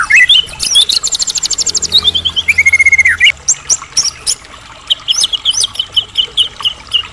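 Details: White-rumped shama song used to rouse other shamas into singing; a long fast rattling trill sliding downward, a flat buzzy note, then varied sharp whistled chips and slurs.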